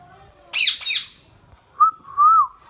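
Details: Indian ringneck parakeet giving two harsh, broad squawks in quick succession, followed after a pause by a short clear whistled note and a longer, gently wavering whistle.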